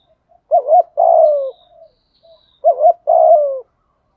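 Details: Decoy spotted dove calling ('thúc' and 'gáy') to attract new wild birds; two paired-coo phrases, each a quick double-peaked coo followed by a long rough coo trailing downward, separated by about a second of quiet.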